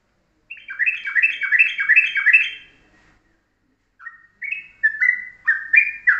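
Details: Yellow-vented bulbul in the morning, singing a fast rolling ropelan-style master song with short, tight phrasing: a rapid burst of about a dozen slurred chirps, a pause, then five louder downslurred whistled phrases.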